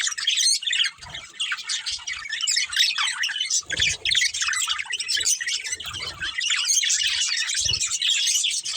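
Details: Budgerigar family with a breeding pair, chirping and squawking in a dense, continuous high chatter of buzzy warbles, with occasional soft thuds underneath.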